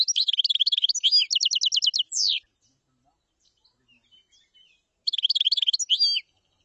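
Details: Common chaffinch delivering a long rattling trill that speeds into evenly spaced strokes and ends with a flourish, then repeating a shorter version after a quiet gap.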